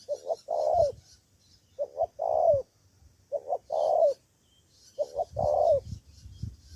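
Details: Decoy spotted dove from Cà Mau, Vietnam, calling back at rivals with four mellow phrases, each two quick soft notes and a drawn-out descending coo, with brief low thumps under the later phrases and a thin high hiss behind.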